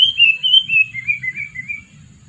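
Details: Sooty-headed bulbul, two years old, used as a decoy to lure birds, sings a clear whistled phrase of slurred notes that step gradually downward, pulsing in volume, with soft low background noise.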